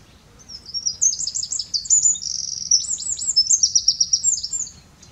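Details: A Eurasian wren, still singing powerfully after the breeding season has ended, pours out a loud, rapid, high-pitched song of trills and sharp notes lasting about four seconds, over a faint background hum.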